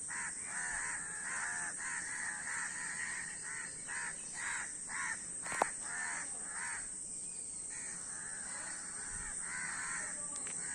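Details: Group of crows cawing in a rapid series of short, harsh, nasal notes, a brief lull near the middle, then renewed overlapping calls, with a sharp click and steady hiss.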